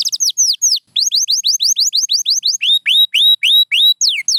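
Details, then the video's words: Pure white canary singing a rhythmic tour of downward-sweeping whistled syllables, repeated about four per second, shifting midway to lower, rising-then-falling notes with a brief pause near one second. "Beautiful Chirping by a Pure White Canary"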